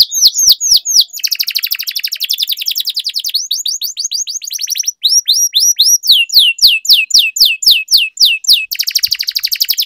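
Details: Canary in full song for training other canaries. Long buzzy rolling trills alternate with bursts of fast down-slurred whistles, repeated about four times a second, ending in another dense roll.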